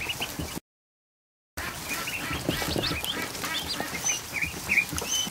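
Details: Afternoon barn scene of over a hundred newly hatched ducklings in a kiddie pool: after a brief break in sound, rapid high peeps, some rising sharply, repeat over a rustling, clicking background.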